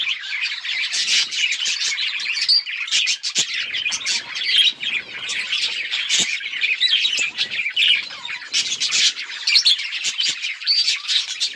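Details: Budgerigar chirping noises: a lively, unbroken chorus of sharp tweets, chattering trills and scratchy warbles that rises and falls over about eleven seconds.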